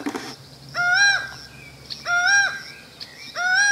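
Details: Laughing falcon (acauã) singing animatedly from out of sight during a family mango-picking picnic, giving loud, nasal, slightly rising two-part calls about every one and a half seconds over faint background noise.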